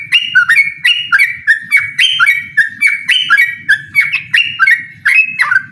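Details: Loud, rollicking yellow-vented bulbul notes, short and gurgling, tumbling out in rapid regular sequence as the bird challenges an opponent to a song duel.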